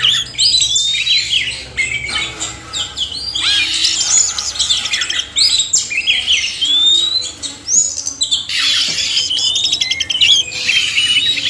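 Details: Male and female oriental magpie-robins in a long mixed performance: harsh grating calls, rapid twittering and sweet rising whistles, in several dense bursts separated by brief lulls.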